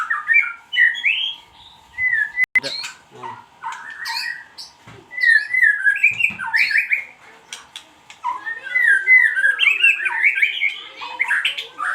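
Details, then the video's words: White-rumped shama lure song (pancingan): scattered bursts of whistled and chattering phrases separated by short silences, livelier toward the end, with a constant low hum in the background. "pancingan suara buung muray batu"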